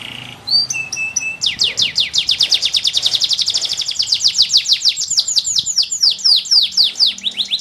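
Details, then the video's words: Canary singing strongly: a few clear whistled notes open, then a long fast series of sharp descending chirps repeated several times per second, running unbroken and loud to the end. "Best Canary Singing - Very strong canary chants"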